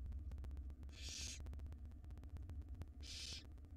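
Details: Wild barn owl nestlings begging during feeding with a jird inside a monitored nest box. Two loud, breathy hissing screeches about two seconds apart stand over a low throbbing hum and faint ticking.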